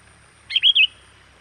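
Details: Sooty-headed bulbul lure call for bringing wild birds in: three fluid, rolling whistled notes in quick succession, clear and bright above a soft hiss.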